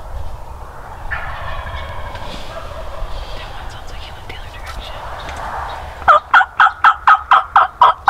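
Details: Wild turkey gobbler, a male, gobbling during a spring snow storm on a turkey hunt: soft murmuring background for six seconds, then a loud run of about eight rapid, evenly spaced gobbling notes in the final two seconds.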